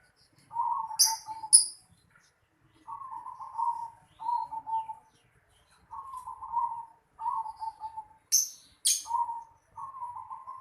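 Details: Rhythmic bubbling coo phrases from a zebra dove in a house yard, about seven short rolling bursts, joined by a few bright high chirps from another bird.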